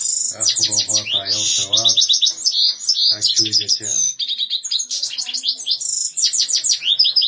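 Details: European goldfinch pouring out a rapid, high-pitched twitter of liquid chirps and brief buzzy phrases, while a low human voice briefly speaks underneath twice.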